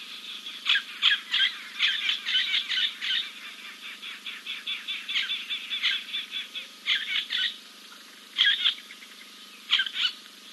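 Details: Giant kingfisher preening after a dip at King's Camp on 2 April 2024. Sharp, dry notes come in quick chattering runs that thin out into scattered single clicks and short bursts toward the end.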